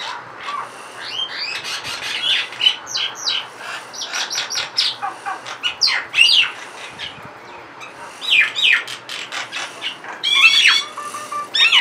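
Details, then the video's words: A pair of mynas perched on a window grill, chattering and tweeting with varied calls: a busy jumble of sharp chirps, rasping squawks and bright whistled notes in bursts, with short quiet gaps between phrases. "A couple mynas sitting on the window grill, tweeting about, and making various calls."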